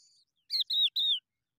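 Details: Hungry Skylark nestlings calling for food: three loud, slightly falling chirps in quick succession after a faint thin note, with silence between.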